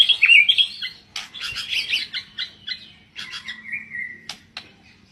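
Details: Oriental magpie-robin song, a rapid busy run of scratchy notes and chirps mixed with a clear, falling whistled phrase, delivered loud and continuous.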